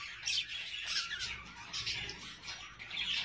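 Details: Budgies with chicks give scattered squeaky chirps and rasping twitters in short clusters, some notes louder and sharper than others.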